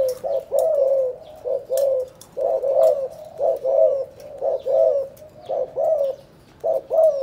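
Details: Spotted dove from Can Tho, Vietnam, calling in the 'chụp chụp ô' cooing style: low, mellow coos in short two- and three-note groups, repeated about once a second with brief pauses between phrases.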